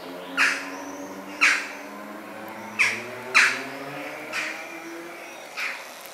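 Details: Young Western jackdaws in a back garden in Weert, the Netherlands: six short, sharp, clipped calls spaced roughly one second apart, each a bright burst, with a faint low hum beneath.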